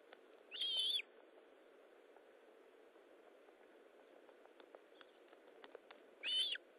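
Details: Osprey at the nest during feeding, 19 July 2012 at 9:43: two sharp, piercing whistled chirps about five and a half seconds apart, with faint clicks and steady hiss between them.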